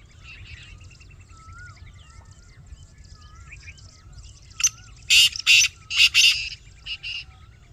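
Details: Black francolin giving a harsh, rasping phrase of five or six loud buzzy notes near the end, after several seconds of other birds' soft whistles and chirps.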